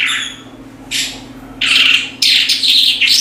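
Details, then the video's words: Branjangan (Australasian bush lark) singing vigorously: a few isolated harsh chips, then loud, rasping, chattering phrases tumbling together over the last second and a half, with a faint low hum. "BRANJANGAN GACOR TIADA LAWAN"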